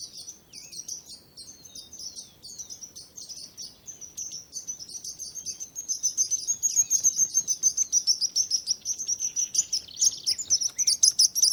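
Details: Birds chirping for nature relaxation: soft, scattered high chirps at first, then a louder, denser run of rapid repeated tweets building toward the end, with several voices overlapping.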